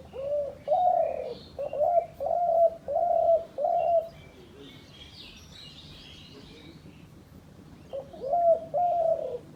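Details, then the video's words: Hunters' decoy dove: five round, low coos delivered in quick succession, a lull with distant twittering birds, then two more coos, each note swelling and holding steady. "শিকারী ঘুঘুর ডাক"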